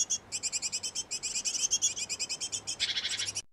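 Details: High, thin chirping at a nest box used by a great tit pair feeding their nestlings. The notes are repeated rapidly and almost without pause, growing louder, then ending in a harsher, buzzier burst.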